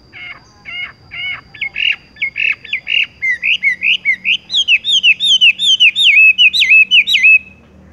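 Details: Horsfield's bush lark in 'tung roll gantung, langsung ngerol' style: steady, evenly spaced chirping notes that speed up into a rapid rolling trill of slurred, downward-sweeping whistles before stopping abruptly; a faint steady hum underneath.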